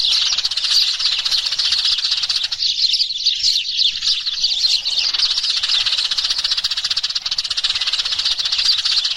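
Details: Sparrows chirping together to call the flock, a lure sound: a thick, unbroken wash of sharp, high tweets and twitters from many birds, steady in loudness throughout.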